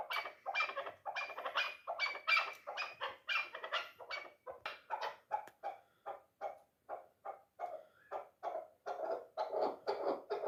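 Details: Three-year-old dulan chukar partridge kept for hunting delivers a long, steady train of clucking notes, roughly two a second, slowing slightly midway and then thickening again.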